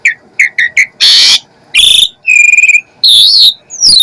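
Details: Asian pied starling with a lively filler-rich song: a few short chips, a loud harsh rasp, then pulsed buzzy notes, a steady whistled tone and a warbling high phrase.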